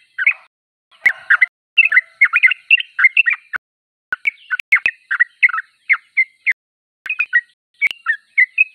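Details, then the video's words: Yellow-vented bulbul in full song: quick clusters of liquid chirps and short warbles, broken by brief gaps and a few sharp clicks, the phrases tumbling along at a brisk pace. "Trucuk termewah suaranya paling di cari"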